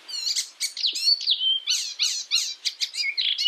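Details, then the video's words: Training song from a European icterine warbler: looping whistles and a level sustained note give way to quick, buzzy, descending chirps repeated in a lively stream. "masteran Burung || icterine werbler burung kapasan asli eropa"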